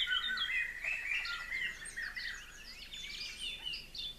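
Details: In an aviary, two young Blue-crowned Laughingthrushes that fledged yesterday sit high in a conifer as their parents fly in to feed them; rapid varied chirps and short rising whistles, busiest early, then thinning.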